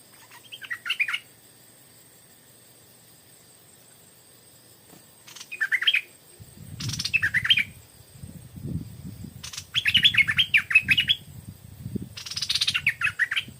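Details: Stripe-throated bulbul song around 4 pm, in nesting season: short, bubbly, chattering phrases about a second long, repeated every few seconds, over a low rumbling rustle in the second half.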